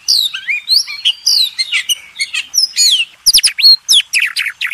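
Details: White-rumped shama song used as master training for contest birds: a loud, dense stream of sweeping whistles and sharp chirps, with abrupt clicking notes near the end.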